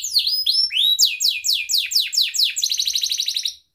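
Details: Lure song of an Atlantic canary for prompting other canaries: a few whistled glides, then rapidly repeated downward-sweeping chirps, finishing in a fast, tight rattling trill that cuts off abruptly.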